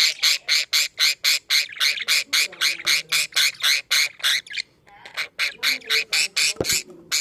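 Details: Budgerigars in a clean cage, blue male and green female with three just-hatched young: rapid run of rasping, buzzy notes about four per second, pausing briefly midway before resuming, with a faint click.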